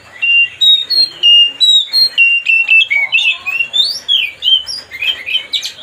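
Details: Loud Oriental magpie-robin song used to agitate another bird, made of a rapid, evenly paced chain of clear whistled notes that gradually shift into varied sliding, scratchy phrases.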